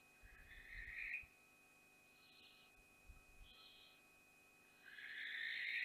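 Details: Barn owls at Théding at the first flight from the nest, 14 June 2021. Faint harsh hissing screeches occur as breathy bursts about one second long, then a louder, longer rasping hiss. A steady electronic whine and low thumps sit underneath.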